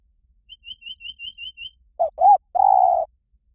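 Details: Spotted dove cooing in the liu tan style, used as a lure to train a bird to coo back in reply: a quick run of seven short, high chirps, then two brief low coos and one drawn-out, steady coo.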